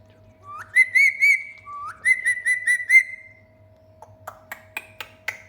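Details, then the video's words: Bathing pet parrot making cheerful vocal chatter in the shower: two upswept whistled phrases of pulsing, warbling notes, then a run of sharp tapping clicks, with a constant low hum underneath. "Chatty Parrot's Hilarious Shower Time"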